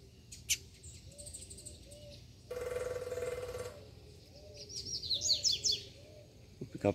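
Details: Double-collared seedeater: a quick burst of high, rising chirped notes near the end, after a man talks, with soft low whistled notes repeating in the background; a female and a male are present, and the male sings from a distance.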